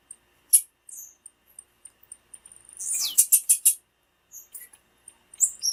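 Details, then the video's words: Female blue-black grassquit call, used to excite and stimulate caged males kept for tournaments. Thin, very high chirps come in sparse scattered notes, then a dense burst of sharp chips around the middle, and more high notes near the end. "PIADO DE FÊMEA DE TIZIU FIT PARA ESQENTAR TIZIU NA HORA COM PIADO DE FÊMEA DE TIZIU"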